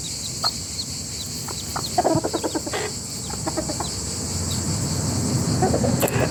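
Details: A rooster and its family making noise together: a quick run of short, clipped clucks around the middle, a few scattered single notes before and after, and a constant hiss with distant bird chirps.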